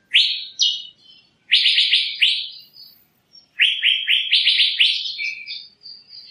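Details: Asian fairy-bluebird singing bright, liquid rising whistles, alone and in fast runs of four or five, ending in thinner, higher wavering notes; background otherwise silent.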